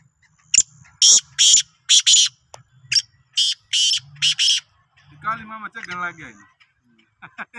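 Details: Black francolin, Sindhi type, uttering a rapid series of harsh, buzzy notes in a broken rhythm, followed by a man's voice speaking and a few faint notes at the end.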